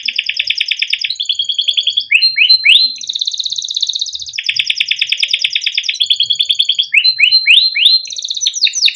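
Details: Caged canary delivering continuous 'gacor panjang cuit cuit' master song used to teach young birds: loud, unbroken alternation of rapid rolled trills and quick upswept chirps, with a long buzzy roll in the middle.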